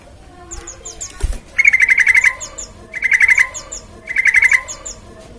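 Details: Sooty-headed bulbul, a lively bird used to coax other birds into song: three rattling bursts of rapid notes, each under a second, about a second apart, with thin high chirps between them.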